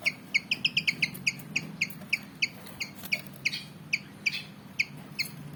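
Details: Javan fantail, a black-and-white bird of about 19 cm, keen to fight, repeats crisp high chip notes, some doubled, in a quick irregular run against a faint background hum.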